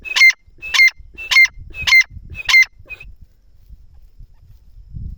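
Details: Francolin calling near cotton plants: five loud, harsh, ringing notes repeated about every half second in a steady series, then a fainter short note, with soft rustling afterward.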